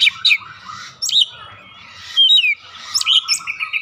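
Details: Oriental magpie-robin lure: scattered sweet whistles and short chirpy phrases separated by quiet pauses, ending in a steady high whistled note, with a faint low rumble beneath.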